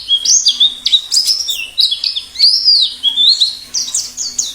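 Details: Wild white-eye singing in the forest style known locally as ngalas, used to prompt captive birds to sing and to lure wild ones: rapid, continuous twittering of high, sliding notes, some arching up and down, delivered without pause.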